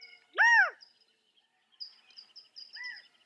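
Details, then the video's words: California quail giving one loud, rich, arched note that rises and falls, followed later by a fainter similar note, with thin high chirps from small birds around it. "California Quail | کیلیفورنیا بٹیر | Qauil Sounds"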